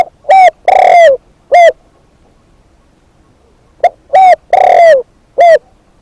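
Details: Caged decoy spotted dove repeating a four-note coo phrase twice: a brief hoot, a curving note, a long husky coo falling at its end, and a short closing hoot.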